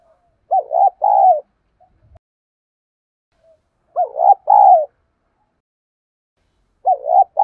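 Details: Caged decoy spotted dove giving a driving coo to provoke wild rival doves, in the 'giọng thổ' voice style; three low, mellow phrases, each a quick rising double note followed by a longer hooting coo, spaced several seconds apart.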